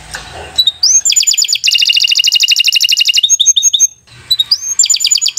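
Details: Canary song as a training model for young birds: a brief rustle, a rising whistle, a long rapid rattling trill, short repeated notes, a pause, then the trill starting again.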